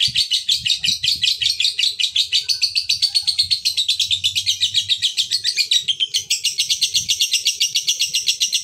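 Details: A male fighter lovebird pours out a long, unbroken chatter to provoke other lovebirds: very fast, shrill, rasping notes that rise slightly in pitch after a short catch near the end, with low background rumble.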